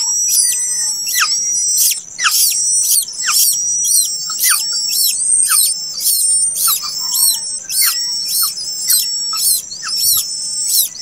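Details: Late-hatched plaintive cuckoo chick: loud, very high, sharp chirps repeated roughly once a second, each with a harsh broadband burst and a quick falling squeak beneath, over a quiet background.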